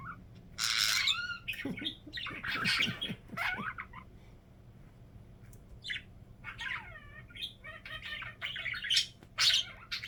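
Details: Pet budgerigar giving its funny signature sound: loud harsh squawks and falling slurred notes, a quieter pause, then wavering whistled chirps and rapid squeaky warbling.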